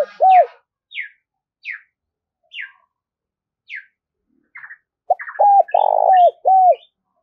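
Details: Spotted dove recording meant to stir caged doves to call. Sharp descending chirps come every second, then a loud phrase of short hooked coos around a long, rough, level coo.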